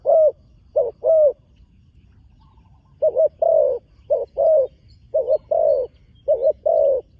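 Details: Young spotted dove placed on a competition ground for the first time repeats mellow two-part coos, a brief note and a longer falling one, a couple of pairs, a pause, then a long run of pairs.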